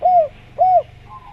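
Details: Spotted dove (tekukur) uttering two separate arched coos about half a second apart, each rising slightly then dropping, clear and loud over a quiet hum.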